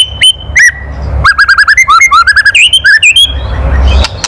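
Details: White-rumped shama's harsh kretekan for provoking rivals: a few single sharp notes, then a rapid run of a dozen clipped, downslurred whistles, ending in a rising note and faint rumble.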